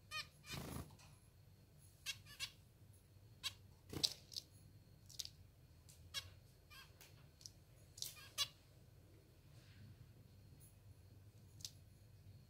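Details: Hungry pet zebra finches being hand-fed, giving short, sharp, squeaky begging calls in scattered bursts over several seconds, mixed with soft rustles and brief broadband handling clicks.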